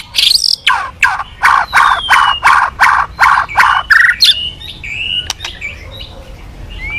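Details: White-rumped shama singing keenly as a lure for other birds: a strong run of about eight harsh, repeated notes roughly every half second, then a bright rising whistle and scattered softer calls.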